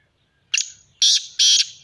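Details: Kept black francolin calling: three loud, harsh, grating high notes in quick succession, each sharply cut off, the last two longer, with little else audible.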